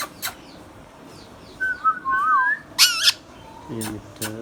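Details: Hand-tame pet Indian ringneck parakeet talking: a wavering whistled phrase, then a harsh, noisy squawking burst, followed by low nasal, harmonic-rich sounds.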